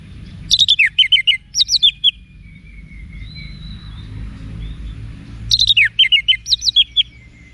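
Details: Orange-headed thrush (Geokichla citrina) song: two bursts of sharp, high, descending whistled notes in rapid series, separated by a quieter, thin sustained whistling; low background hum.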